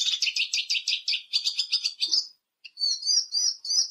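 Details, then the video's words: Eurasian siskin song: a fast, even trill of about a dozen buzzy notes for two seconds, a short pause, then three or four clear, looping high whistled phrases. "EURASIAN SISKIN SONGS Spinus Spinus Singing"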